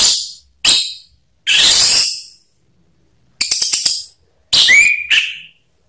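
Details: Orange-headed thrush lure recording meant to provoke singing, in the harsh ngakrak style. Loud, scratchy broadband bursts include a quick stuttering rattle, and a short rising whistled note follows near the end.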